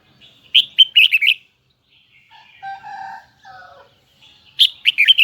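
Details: Red-whiskered bulbul of the Hue type in high double twisting song: quick bursts of bright, warbling chirps open and close the passage, with a lower, drawn-out crowing-like call from another bird in between.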